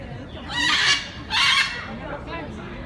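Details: Captive rhinoceros hornbill at a breeding facility: two loud, harsh, harmonic calls in quick succession, each about half a second long, followed by a fainter third note, over low background noise.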